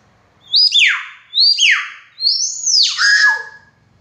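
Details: Chatty common hill myna calling loudly: three strong whistled phrases, each rising to a high note and then sweeping steeply down, the last longer and more warbled, in a quiet indoor setting.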